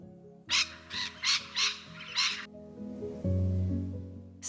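Rainbow Lorikeet giving five harsh, grating screeches in quick succession, about one every half second, over steady background music.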